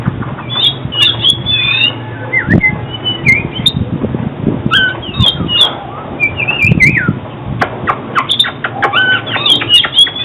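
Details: Song of an oriental magpie-robin, played for trapping and song training: scattered whistled phrases, slurred and looping notes with clicks, some low thumping noises midway, constant background hum.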